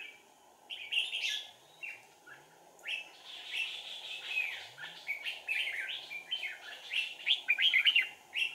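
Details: Red-whiskered bulbul used as a decoy bird for trapping, recorded 4 April 2019; bright warbled phrases repeated in bursts over several seconds, rising into a busier run of chirps near the end, steady background hiss.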